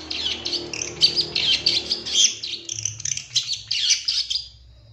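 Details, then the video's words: Master training song of a long-tailed shrike for captive birds, a continuous scratchy twittering stream of high, squeaky and buzzy notes with a faint low hum underneath. "Masteran Cendet Full Isian Nembak Mewah Terbaik 2023"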